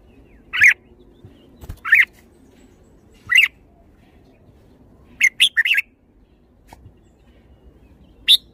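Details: Red-whiskered bulbul calling with short bright chirps, spaced singly at first, then a quick cluster of three to four notes, and a final lone chirp, over a low background murmur.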